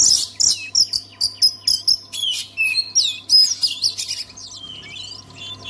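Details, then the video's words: Oriental magpie-robin in continuous song meant to stimulate other magpie-robins to sing, a fast run of loud, clipped whistles and chirps roughly four per second, ending in softer rising and falling whistled notes; faint steady hum behind. "KACER ANDA MACET BISU? SEKALI DENGAR KICAUAN KACER INI PASTI LANGSUNG GACOR"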